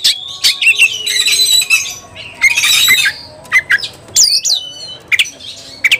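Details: Agitated white-rumped shama after a rival: raspy buzzing bursts followed by sharp rising and falling whistles and crisp clicks, separated by short gaps.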